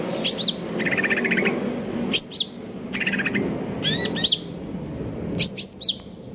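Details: Greater green leafbird in a cage, singing a stable song: loud downslurred whistled notes in pairs alternating with rapid buzzy rattles, repeated through the phrase over a low background hum.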